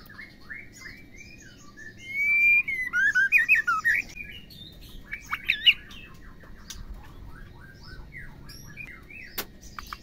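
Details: Female white-rumped shama calling to spur males into song: a burst of rapid, looping whistled and chattering notes around two seconds in, then scattered softer chirps and thin notes over a low background hum.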